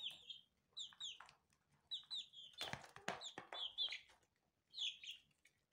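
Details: Baby chicks eating, giving short high descending peeps in small groups, with pecking and scratching noises in the middle.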